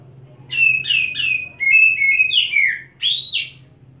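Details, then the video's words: Oriental magpie-robin, set wet and holding one spot while displaying, delivers mimicked filler: quick repeated whistled syllables running into a descending sequence of clear sliding whistles, then a sharp rising-falling note. "Kacer Satu Titik Tahan Ngobra Muntah Isian"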